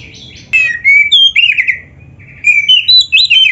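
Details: Oriental magpie-robin (kacer) singing vigorously in a dense, filled 'isian' style: loud clear whistled phrases, slurred downward then rising, in two bursts separated by a short pause, with quiet low hum beneath.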